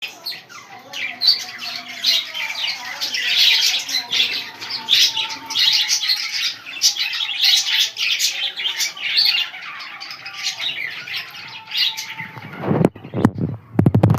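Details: Several budgerigars eating soft food chatter in dense, scratchy chirps and warbles, ending with a few loud clattering knocks.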